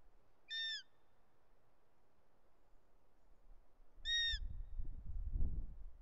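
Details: Short-toed snake eagle at a nest in Els Ports Natural Park, Catalonia, 13 August 2023; the juvenile screams as the male brings a snake: two brief, clear whistled calls about 3.5 seconds apart, then low rumbling wind or handling noise.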